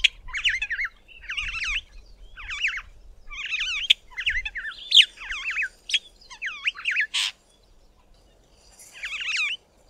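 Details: Cape (Glossy) Starling singing its cheerful song from a small treetop: a rapid run of short, looping warbled phrases repeated about every half second, with a sharp click-like burst near the end, then a final phrase.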